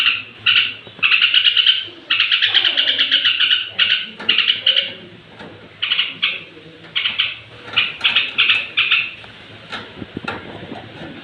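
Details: Yellow-vented bulbul singing near bedtime, a song said to stir up other bulbuls; bright bubbly chattering phrases, some short, some running about a second, separated by brief pauses, with faint low hum beneath.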